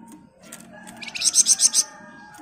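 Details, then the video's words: Flamboyan bird, 'ngebren rapat' style for a training master: one brief burst of about six fast, ringing high notes against a low, murmuring background. "Burung Flamboyan Gacor Ngebren Rapat cocok buat Masteran Burung Anda"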